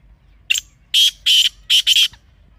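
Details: Partridge, black or desi type, giving harsh, grating call notes: one short note, then four loud rasping bursts in two close pairs over about a second, against a quiet background.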